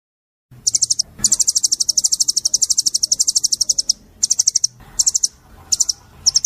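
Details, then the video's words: Oriental white-eye 'tembakan' shooting song for teaching caged birds: after a brief silence, a long, high, rapid run of sharp repeated notes lasting about three seconds, followed by several short clipped bursts. "masteran burung full tembakan mp3//cocok untuk masteran pleci nembak sejalur"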